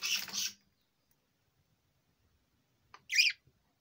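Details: Four-year-old male budgerigar, kept as a pet: a harsh, broadband chattering burst lasting half a second, then silence and a short, higher squeaky chirp about three seconds later.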